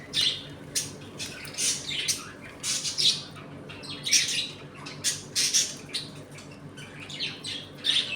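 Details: Budgerigars in a home colony, eating, playing and fighting, give harsh scratchy squawks and chirps in bursts about every second, several birds overlapping in a small room with a steady low hum beneath.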